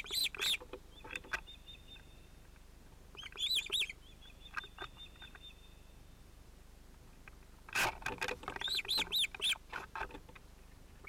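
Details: At an osprey nest on 31 July 2018, a chick breaks into the adults' moment together. Short bursts of sharp whistled calls separated by quieter thin, level whining notes, then a dense burst of calling near the end.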